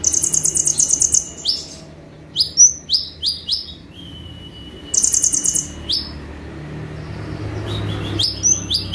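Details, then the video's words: High buzzy trill, then scattered sharp chips and one long thin whistle, then another trill burst, from a brown-throated sunbird singing 'tembakan' tutor song; low hum beneath. "KONIN GACOR FULL TEMBAKAN"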